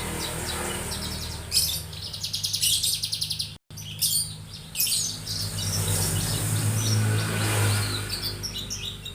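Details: Young Javan bush lark giving a lively song of fast, repeated high chirps and rattling trills in quick series, with a short gap midway, accompanied by a constant low background hum.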